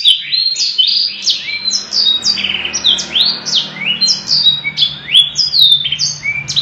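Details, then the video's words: Canary in full, lengthy cengkok song: an unbroken chain of high bright whistles, rising buzzy sweeps and short trills, pulsing in quick bursts several times a second, with faint low hum beneath. "kenari gacor panjang cengkok mewah"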